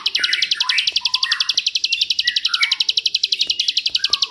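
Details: Bar-winged prinia, ciblek, singing a 'jerih'-style 'tembakan ngebrend' master song used to train white-rumped shamas and oriental magpie-robins: a fast, steady train of high sharp chips, about four per second, over lower slurred whistles.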